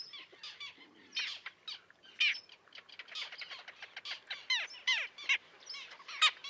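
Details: Common terns calling at a small breeding colony with chicks on a concrete slab near a sea pier, 1.5 km from the shore at Liepāja, Latvia, in June 2024, recorded with a Nikon Coolpix P1000; harsh, downslurred, overlapping squawks in rapid irregular bursts.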